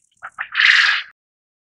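Japanese quail giving two short, clipped notes followed by a harsh, rasping burst about half a second long; nothing else is heard.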